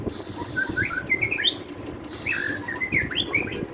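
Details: White-rumped shama song used as masteran training material: quick, varied whistled and chirping phrases of rising and falling notes, interrupted by two loud bursts of hissing noise.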